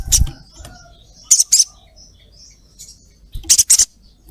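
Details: Calling female ruby-throated myzornis addressing a male with abrupt rasping 'cret cret' notes, a pair near the start and a tight cluster of three toward the end, quiet background chatter between.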